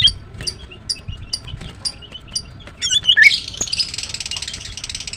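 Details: Female greater green leafbird chirping: thin, spaced high ticks and short whistles, then a sudden loud sweeping note followed by a long rustling, hissing burst.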